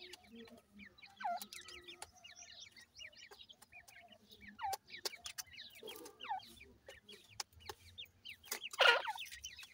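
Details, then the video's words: Grey francolin chicks calling for their mother give bright, rising, squeaky cheeps in loose series, with crisp tapping clicks and one loud rustling burst near the end. "goray teetar kay little chicks beautiful,titer baby ki boli"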